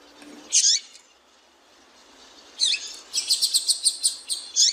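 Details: A female double-collared seedeater calls: one loud high chirp, a quiet spell, then a fast, even string of about eight sharp chirps ending in a stronger note, over a soft background hiss.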